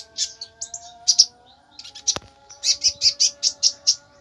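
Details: Konin giving scattered sharp chirps, then a tight regular run of about eight piercing notes, with one sudden click midway and a faint low hum.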